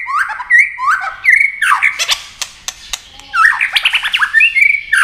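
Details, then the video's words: Competition song from a white-rumped shama, wings flashing and tail working: dense swooping whistles, harsh rasping bursts and rapid click series in quick succession. "chòe lửa hót đấu tốc độ"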